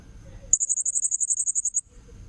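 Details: Lure recording of a blue-crowned hanging parrot: a sudden burst of high, sharp, tinny notes in a fast, even series lasting just over a second, then the call stops and faint low background noise remains.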